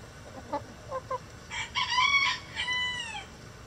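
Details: In a coop holding a mixed flock of laying hens, a few soft short clucks lead into a louder stuttering call that ends in a long drawn, gently falling harmonic note, over low hum.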